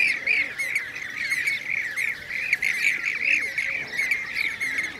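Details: Blue-cheeked bee-eaters recorded in Şanlıurfa, Turkey, in 2016: a steady stream of short burry, rolling trills from several birds, overlapping almost without pause, with high thin chirps mixed in.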